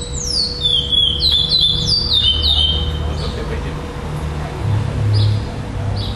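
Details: Chestnut-bellied seed finch, a black second-place bird at a singing tournament in Florianópolis, Brazil, on 11 December 2011, singing repeated high descending whistled phrases, followed by quieter distant notes over low background hum and crowd noise.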